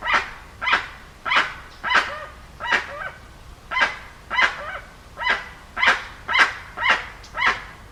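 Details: Loud honking calls of a dusky-legged guan, coarse yelping notes spaced about half a second apart, some ending in a short lower tail; steady faint low hum in the background.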